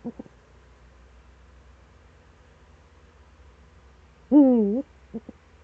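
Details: Eurasian eagle-owl, Eifel, early morning of 26 September 2013: mostly quiet, then a single loud, rich, undulating hoot near the end, with a few short pulses before and after.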